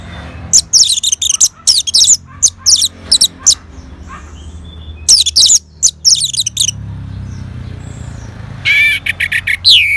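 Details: Orange-headed thrush singing in reply to a lure sound: loud bursts of sharp, high chirps and trills in quick clusters, a pause, more dense chattering phrases, then a final run of clear rising whistled notes.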